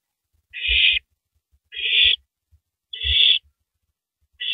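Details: On April 9, 2012, at 3:33 AM, an owl tearing into a big rabbit repeats rasping hissing screeches about every 1.2 seconds, with thumps from its feeding.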